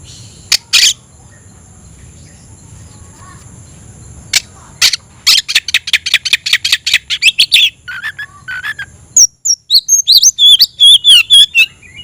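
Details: Oriental magpie-robin singing while looking for a rival: a few harsh broadband rasps, then a fast run of about fifteen scratchy notes, then a switch to bright, high whistled phrases with quick rising and falling slurs.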